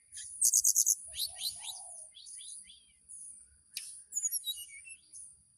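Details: Mountain tailorbird singing with calm piping to call a female, kept in Purworejo, Central Java: a fast train of high piercing notes, then thin slurred whistles and short trills, with a steady very high hiss throughout.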